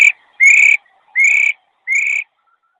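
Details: Hwamei female, 22 July 2021. Gives four upslurred, slightly buzzy whistles roughly every 0.7 seconds, each with a thin high overtone, then silence.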